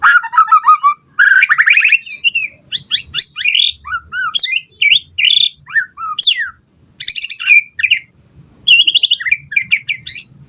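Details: Long varied song of a white-rumped shama, used to provoke other birds to respond, with buzzy rattling bursts, looping whistles and fast chattering phrases separated by brief gaps.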